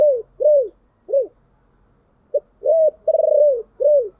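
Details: Spotted dove's soft 'tiếng chìm' lure coo for rousing decoy birds: closing falling coos of one phrase, then a full phrase with a pulsing, rolling long coo ending in a dropping note.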